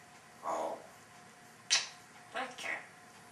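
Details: Caged female African grey parrot talking to herself while alone indoors: three short, word-like utterances with quiet pauses between, in a small quiet room.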